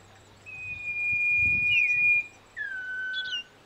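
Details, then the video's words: A common iora (Aegithina tiphia) gives a long, thin, level whistle ending in a quick upward flick, then a lower drawn-out whistle after a brief pause. "cipoh kacat, burung kebun bersuara merdu dengan gaya kicau yang indah"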